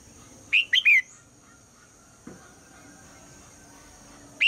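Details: Female red-whiskered bulbul in the morning, calling to make the male sing: one fast three-note whistled phrase, a faint low click midway, and the first note of a new phrase at the very end.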